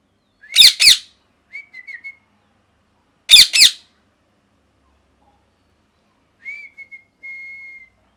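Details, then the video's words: Pet parrot, molting, kept indoors: two pairs of loud harsh broadband squawks several seconds apart, with faint thin whistled notes between them and near the end. "Parrot Chirping Sounds | Natural Parrot Sounds | Parrot Calling Sounds"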